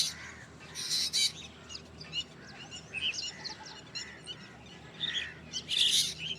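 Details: Black drongo giving harsh, buzzy broadband calls in short bursts, with a few thinner chirped notes between them, over a steady low background hiss.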